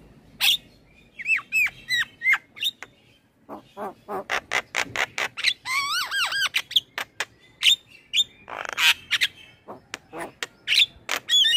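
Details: Male black-winged starling in full song, recorded as a lure for training birds: dense mix of looping whistles, harsh rasps and rapid clicking bursts, continuous over about twelve seconds.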